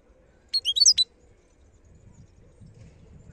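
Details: Wild European goldfinch, the Algerian khalawi, giving a short half-second phrase of high chirping, slurred notes, followed by quiet with soft low rumbling.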